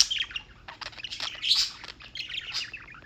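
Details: Birds in New York, United States, chirping without pause: quick high squeaky chirps and short twitters run together in a busy, overlapping chatter.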